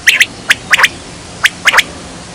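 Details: Quail lure call for hunting: bright, sharp, whip-like notes, one, a quick pair, then a single and a rapid triplet, clean and fairly loud over low hiss.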